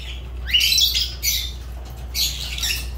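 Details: Fischer's lovebird letting out a rising shriek followed by two harsh, buzzy squawks, loud and grating over a low hum.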